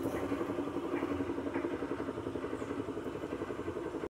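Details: A motor vehicle engine idles with a steady throbbing pulse and faint voices, then cuts off abruptly.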